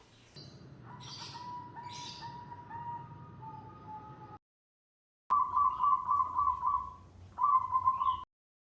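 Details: Wild-caught local zebra dove (perkutut) giving its "suara duduk", the first beginner stage of its song: soft, mid-pitched cooing, first steady and droning, then in short rapid bubbling bursts, over faint background hiss.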